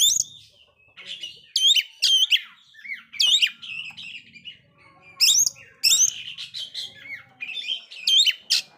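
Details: Oriental magpie-robin that failed to moult, singing very actively, used as a lure to provoke other magpie-robins. Loud bursts of sharp whistled and scratchy notes, some sweeping high, in clusters separated by brief pauses, with faint background hum.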